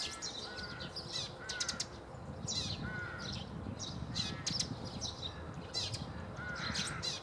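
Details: Eurasian tree sparrow recorded 9 March 2015 at Bundek in Zagreb, Croatia: short, bright chirps and sharp tweets repeated irregularly, with drawn-out harmonic calls from other birds and a steady low background rumble.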